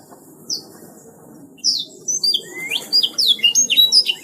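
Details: Canary in full gacor song. After a near-silent opening with one brief high note, a rapid run of high descending whistles and sharp chirps begins at mid-clip and builds steadily, over a soft low rumble.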